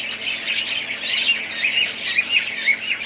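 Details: Several pet budgerigars twitter rapidly together, short bright chirps coming about twice a second over a continuous high warbling background.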